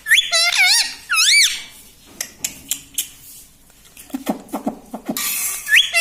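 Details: Talking parrot at home, said to say "mummy" and "mitthu", opens with repeated wavy, strongly harmonic calls, then soft knocks and clicks, ending with a hissy burst and another brief call.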